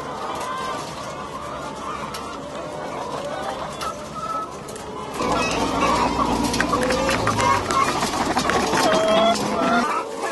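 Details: Battery-caged laying hens in France, February 2012, clucking and cackling in a busy overlapping chorus that grows louder midway, with machinery rumble beneath.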